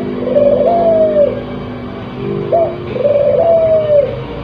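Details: Breeding-condition spotted dove heard a little more distantly, two smooth, level-then-falling coos separated by a short clipped note, against a muffled, humming background.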